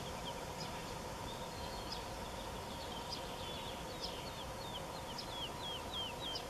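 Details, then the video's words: Distant woodlark song from Wendland, Germany, 21 June 2018: a soft run of clear descending whistled notes that quickens and grows louder toward the end, over constant rushing background noise, sparrows also chirping. "Woodlark sings"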